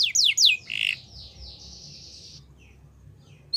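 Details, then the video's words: A Yorkshire canary sings for song training: two sharp falling notes and a buzzy chirp, then a long, steady, soft high-pitched trill drawn out about a second and a half before silence. "Yorkshire Canary Song"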